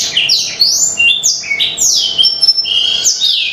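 Black-throated canary singing a fast, continuous run of high, sweet trills and slurred whistles with no pauses; a faint low hum sits underneath.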